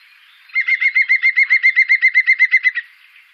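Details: Laughing call of a European green woodpecker, Wittlich, 2017: about nineteen evenly spaced, ringing notes in a quick run, steady in pitch and fading only at the very end, over faint background hiss.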